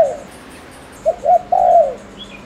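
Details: Decoy spotted dove from Ninh Thuận, Vietnam, cooing rapidly to rouse rival males: the tail of one phrase, a pause, then two clipped hoots and a drawn-out, sliding mellow coo.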